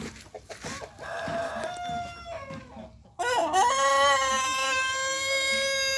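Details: Morning-sunned chicken, kept in the sun to steady its condition, gives a wavering crow that fades out. After a brief silence a second loud, sustained crow follows, starting with a rough rising onset and holding an even pitch to the end.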